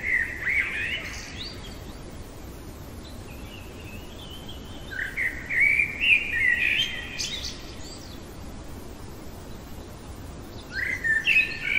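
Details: In the heart of the night a common blackbird sings three spaced strophes, rich fluty whistles that slide upward into high scratchy twitters, separated by several seconds of quiet background hiss.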